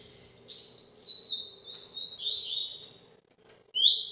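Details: Paraná vinte vinte style song from a captive ultramarine grosbeak, heard live: high, fast descending whistled phrases that trail off lower, then a pause before a fresh rising note.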